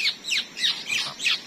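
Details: Newly trapped wild white-rumped shama near a river, large-bodied and long-tailed, giving harsh, scratchy high notes, about three every second, in an agitated burst with no other clear sounds.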